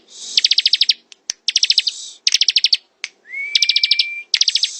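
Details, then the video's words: Ciblek, or bar-winged prinia, in ngebren song: short clusters of fast, sharp high pulses repeated about once a second, a few isolated clicks, and a long level whistle slid up into near the end. "Suara ciblek ngebren"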